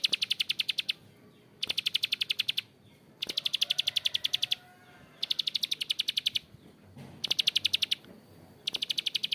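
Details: Bar-winged prinia (prenjak klik or ciblek sawah) calling in the long, coarse ngebren manner. Rapid rattling click bursts of about one second repeat with irregular gaps, six bursts in all, over quiet background hiss.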